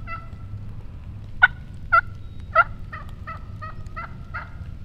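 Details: A wild turkey hen yelps in a run of about eight notes: three loud, sharp yelps spaced half a second apart, followed by softer, quicker yelps fading toward the end, with low background hum.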